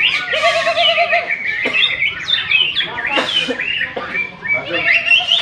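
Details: Caged greater green leafbird competing at an independence-day songbird festival in Malinau Utara, North Kalimantan, Indonesia. Loud, busy warbling of quick rising and falling whistled notes and trills, with other competing birds and background voices.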